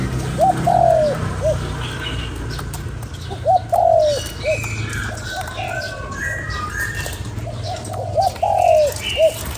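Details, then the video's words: Spotted dove calling to excite a decoy bird, giving three clear cooing phrases of short note, long wavering coo and short end note, spaced about three to four seconds apart, over faint chirps of other birds. "Cu gáy kích bổi"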